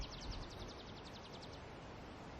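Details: Tree pipit, the first of the year, singing perched in a hawthorn at dawn in late April at Barkbooth Lot reserve, Cumbria: a fast series of thin, high, downslurred notes, about ten a second, over a steady low rumble.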